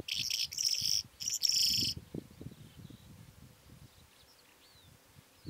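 A Calandra lark sings three loud, harsh, grating bursts over two seconds, then thin faint whistled notes trail off over a low background rumble.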